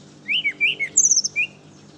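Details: Sweet morning song of a brown-chested jungle flycatcher, used to attract other flycatchers: three wavering mid whistles, a high falling phrase, and a final short whistle, over faint hum.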